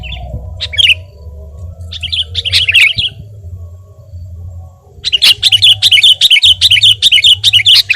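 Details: Sooty-headed bulbul (kutilang), singing actively for a tutor and lure recording: a few scattered chirpy phrases, then a rapid steady run of sharp high notes, about two or three each second, over a faint low hum.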